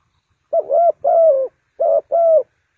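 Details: Spotted dove serving as a decoy for trapping birds, Ninh Thuận: two low coo-croo phrases about a second apart, each a short hoot followed by a drawn-out rolling note, no other sounds.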